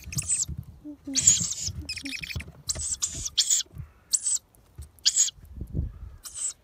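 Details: Young owls panic after a person imitates the parent owl's call, perhaps thinking the parent has returned. They give harsh, hissing screeches in rapid bursts, roughly one a second, with a couple of low hooted notes and faint human voices.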